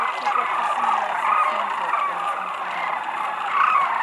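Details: Sandhill cranes, thousands descending on Whitewater Draw Wildlife Area, Arizona, February 2018; a constant wall of overlapping rolling calls, with faint human voices low underneath and a louder swell at the close.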